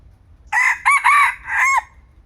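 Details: Young male red junglefowl used as a decoy, at a spirited age, 2025. A single crow is broken into four loud bursts. The first is short, the middle two ring and rise, and a sustained phrase closes with a downward slur.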